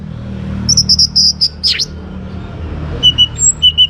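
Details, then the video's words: Young orange-headed thrush, a caged bird whose song is played to get other birds singing: a rapid row of high, thin notes, a swooping slur, then scattered whistled pairs, against a low droning background. "ANIS MERAH Muda Gacor Untuk Pemancing Burung Berani Berkicau"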